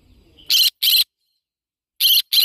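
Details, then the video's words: Yellow-sided conure parrot uttering two pairs of rasping, buzzy squawks, each burst short and loud, with a gap of about a second between the pairs in an otherwise quiet setting. "Yellow sided conure parrot bird sound"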